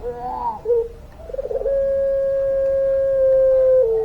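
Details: Puter pelung dove singing: short wavering hoots and a throaty flutter lead into one very long, even coo held for more than two seconds, with a low hum beneath.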